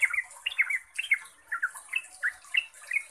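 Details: Lure recording of yellow-vented bulbul song, locally called trucuk, meant to provoke answering birds; bubbly chattering notes spaced irregularly, fairly soft, with a continuous high-pitched hiss behind.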